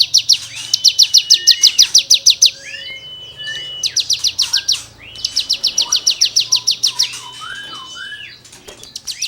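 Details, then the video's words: Cigun song used as tutoring material for songbirds: bursts of rapid, sharp, high chipping notes, about three per second, alternating with drawn-out rising and falling whistled slurs. "CIGUNG GACOR FUL NEMBAK MATERI GESEKAN BURUNG KICAU"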